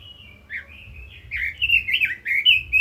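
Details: Caged Red-billed leiothrix singing a rapid, warbling run of whistled notes that slur up and down, growing louder and denser in the second half, with quiet low background hum.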